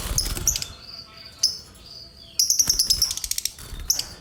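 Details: Pet lovebird calling only when disturbed: sharp high chirps, a single note early on, then a rapid run of bright tweets around the middle and one more chirp near the end, with faint rustling.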